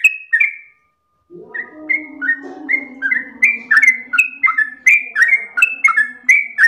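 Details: Yellow-vented bulbul song in nonstop losdol style: a couple of whistled phrases, a brief gap, then a rapid stream of bright rising and falling notes over a noticeable low humming background.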